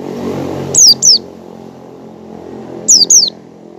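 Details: Ngecal calls of an oriental white-eye learning the ngalas style, meant to prompt other white-eyes to open their beaks: two pairs of sharp, high, falling whistles about two seconds apart, with a low engine-like rumble beneath.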